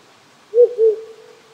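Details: In a quiet, chilly Japanese rural night, a wild owl utters a quick low double hoot, the second note slightly longer, over the even whisper of a nearby creek.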